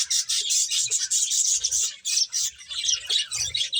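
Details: Several finches chirping while eating: a dense, continuous chatter of high, thin tweets overlapping with no pauses, with faint low thuds beneath.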